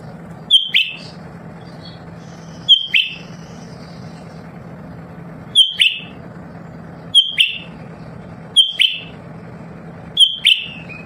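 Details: A lesser green leafbird kept at home that sings continually and sets other captive birds singing repeats a two-part phrase six times, a thin high whistle dropping into a harsh downward burst, every one to two seconds, over constant low background hum.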